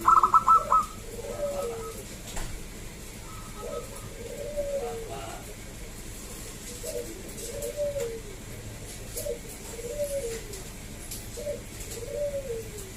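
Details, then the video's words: Local zebra dove call for drawing other doves into song: a brief trilled burst at the start, then soft, low coos repeated about every one to two seconds against a faint background hiss. "Perkutut lokal Gacor SUARA ASLI KRISTAL MERDU Ampuh Mengundang Bunyi Semua Perkutut Lokal"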